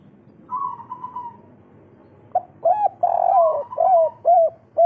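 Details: Local spotted dove of the kuk 3 type, its call used to spur other doves' breeding drive: a soft wavering trill gives way to loud, hollow coos repeated in quick succession.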